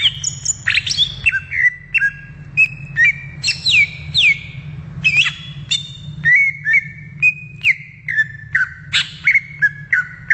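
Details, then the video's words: In the wild, a greater green leafbird gives a rich, continuous song of varied whistled slurs and sharp high notes, many phrases falling, with steady short repeated notes near the end; low hum behind. "SUARA ASLI CUCAK IJO DI ALAM LIAR"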